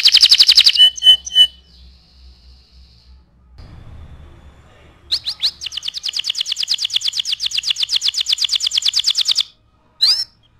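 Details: Canary master song for teaching other birds: a burst of harsh high notes and pure tones, a quiet pause with low rumbling noise, then a long rapid rolling trill and one last sweeping note.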